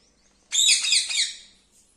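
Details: Pet green parrot giving a single bright, high chirping squawk of about one second, made of several quick rising and falling notes, in an otherwise quiet room.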